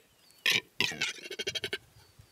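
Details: Lithuanian male Western capercaillie song: two loud popping bursts, then a quickening series of about eight dry, knocking clicks that fade out.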